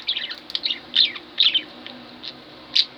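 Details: A pair of pet budgies chatters with scratchy, warbled high notes and sharp chirps, irregular bursts spaced about half a second apart, ending in a single bright chirp.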